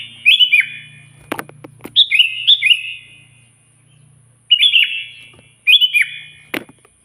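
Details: Loud sooty-headed bulbul singing to answer a rival, bright liquid whistles that rise then tumble down, in separate bursts, with knocking sounds and a low hum behind.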